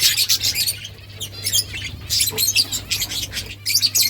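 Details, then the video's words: Budgerigars chirping in a busy flock, with dense overlapping bright twittering chirps and short warbled notes in quick bursts and a few pauses, over a steady low electrical hum. "Beautiful budgies birds chirping sounds"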